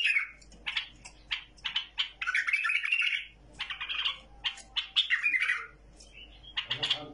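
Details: A tamed bulbul's song: clipped chirps alternate with longer warbled, slightly buzzy phrases in quick succession, with a soft low rustle near the end.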